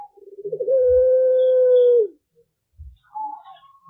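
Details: Young puter pelung turtle dove cooing in the morning in exchange with other doves: a quick rolling start leading into a long, smooth, steady low coo lasting over a second, then a fainter higher call from another bird.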